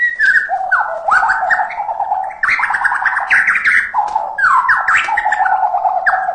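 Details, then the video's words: Persistent white-rumped shama song packed with mimicked filler sounds: looping whistled phrases that swoop down and up, with scratchy, grating notes over them, repeated in three similar bursts. "MEMANCING EMOSI MURAI YANG MALAS BUNYI..#FULL ISIAN SUARA#MURAI BATU GACOR TERUSSSS"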